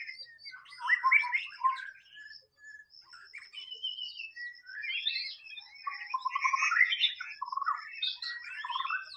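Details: White-rumped shama singing in the wild: a rich, varied run of quick whistled and chattering phrases at middle to high pitch, changing often, over a steady thin high-pitched whine throughout.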